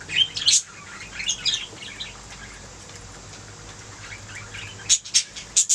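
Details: Budgerigars singing and chirping: scattered bright, scratchy chirps and short warbled notes in bursts, quieter in the middle, then sharp high chirps returning near the end over a faint steady background hum.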